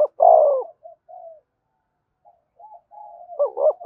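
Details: Spotted dove giving its coo to stimulate other doves to coo: a loud drawn-out coo opens, soft short notes follow, and a rhythmic double coo closes.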